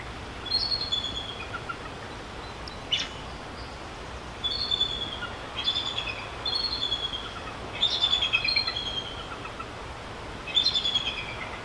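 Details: Bald eagle in Vancouver, British Columbia, Canada, giving its real call. Thin, high, chittering piping notes come in short twittering bursts every one to two seconds over steady background noise.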